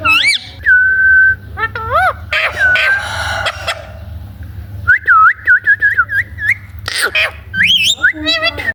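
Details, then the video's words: Parrot producing a varied mix of sliding whistles, harsh squawks and rapid warbling notes, with a constant low hum underneath. "parrot sound"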